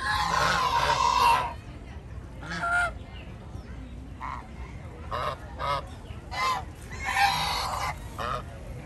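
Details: Geese in a flock strolling through a park, a loud burst of honking followed by scattered short honks and calls against a low background hum.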